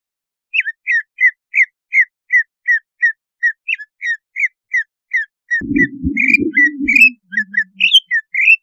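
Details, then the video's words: Cucak ijo (greater green leafbird) song for raising breeding condition so the bird turns aggressive: a long run of short downslurred whistles, then faster varied twittering notes over a burst of low rumbling noise. "Suara pancingan untuk menaikan BIRAHI CUCAK IJO"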